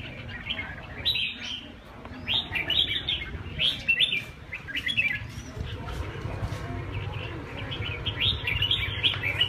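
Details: Red-whiskered bulbul singing lively, repeated warbling phrases of quick slurred whistles in bursts about every second, with a brief pause midway, over a low rumbling background hum.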